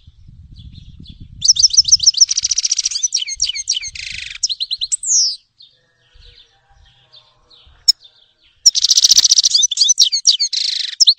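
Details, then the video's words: Grey-headed goldfinch (Carduelis caniceps) singing a fast, high twittering song: bright chirps and buzzy nasal bursts in two bouts separated by a quiet pause of about three seconds, with low rumbling noise at the start. "Щегол седоголовый (Carduelis caniceps)"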